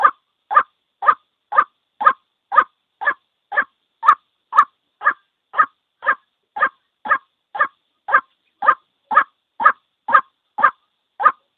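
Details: Single white-breasted waterhen calling, a recording used to lure the birds into traps: harsh, mid-pitched croaking notes repeated steadily about twice a second throughout, with no other sounds.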